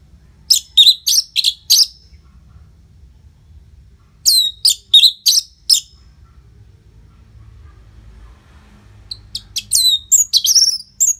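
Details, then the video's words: Caged-bird prompting song of the orange-headed thrush, northern Bali: three loud clusters of high, fast, slurred whistled notes, each cluster of four or five notes separated by gaps of a few seconds over faint low hum. "Pancingan & Masteran ANIS MERAH Gacor Jeda Rapet Suara Keras || Burung Macet Pasti Ikutan Bunyi."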